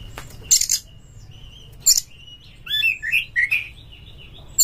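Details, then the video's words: Oriental magpie-robin (kacer) from Indonesia giving a fighting-style lure song meant to rouse other birds: sharp high chips and clicks, then a run of slurred whistled notes rising and falling, with steady low hum beneath. "PANCINGAN KACER TOP untuk DONGKRAK EMOSI Bongkar Materi Tarung Ngotot Gacor Buka Ekor bikin NGEPLONG"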